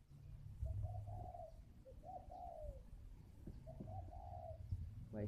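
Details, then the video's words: Spotted dove, a caged bead-necked bird in Hanoi's Ba Vì district: three deep, throaty coo phrases, each a hummed rising-falling note, over low background rumble, then a short rasping sound at the end. "cu gay Hay clip 100 bộ cườm cục khủng"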